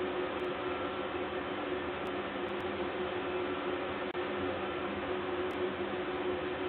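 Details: A steady indoor hum with broadband hiss, like a fan or machine running, and a brief dropout near the fourth second.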